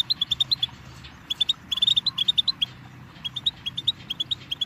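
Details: Goldfinch song from a tutoring tape for chicks and songbirds, clear, ringing chirps repeated in quick lively runs, pausing briefly between sequences, over a soft low drone.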